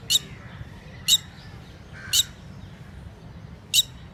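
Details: Indian red-wattled lapwing at a lake giving four sharp, piercing single notes at uneven intervals of one to two and a half seconds, over a low background rumble.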